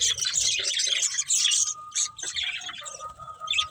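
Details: A breeding pair of budgerigars chatters in loud, buzzy, high chirps, while a faint steady whistle-like tone runs underneath for much of the clip.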